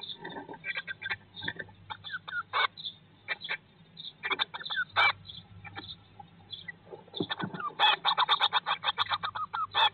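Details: Inside a Eurasian blue tit nest box, day 19 after hatching, 2022: sporadic sharp chirps building into a sustained rapid chorus of high twitters toward the end, with low background hum.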